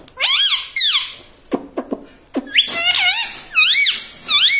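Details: Pet parrot that says "mummy" and "radhe radhe": loud, shrill, harmonic syllables that rise and fall in arches, in bursts of about half a second, with short clicks in between.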